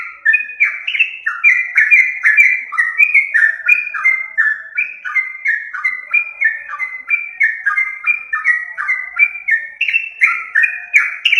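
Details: Yellow-vented bulbul song used as a lure for catching birds: a continuous stream of bubbly, liquid whistled notes, many of them dropping slightly in pitch. The notes tumble rapidly, about three per second, in overlapping, chorus-like phrases with no pauses.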